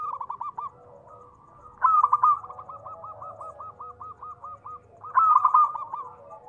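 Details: Local zebra dove calling to lure others into answering: two loud clipped coo bursts, each followed by a long, regular chain of soft rolling notes against faint background hum.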